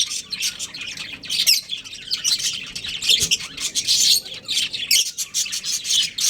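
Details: Budgies of a breeding pair keep up lively chatter, quick raspy chirps and bright whistled squeaks in irregular bursts about once a second, with one low thud partway through.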